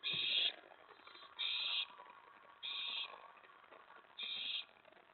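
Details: Owl nest at night, May 24, 2017, where a mouse and a rat were brought in for the owlet. Four loud, harsh hissing screeches, each about half a second long, spaced a second or more apart.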